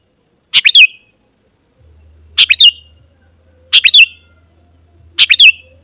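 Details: Sooty-headed bulbul singing, used to call wild birds of the same species into answering and approaching: short bright phrases of three or four quick chirpy notes ending in a slurred whistle, repeated roughly every one and a half seconds, with a faint low hum.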